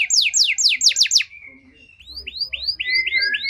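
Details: Canary lure song for stimulating canaries in poor condition: a few loud descending sweeps, a short quiet gap, then soft curved whistles building into a steady note series.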